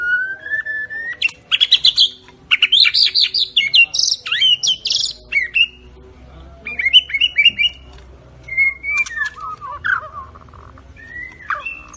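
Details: Medan white-rumped shama, song with cililin imitation and besetan trills: a long whistle opening, loud buzzy swept bursts, then varied chattering whistles and descending note series over a faint low hum.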